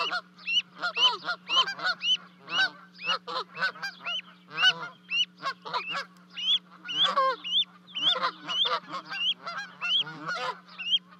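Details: Canada geese on a Charlo, Montana livecam, 12 May 2020, two goslings leaping from a 30-foot-high nest to join their parents; sustained run of rising honks about twice a second with dense overlapping calls and a steady hum.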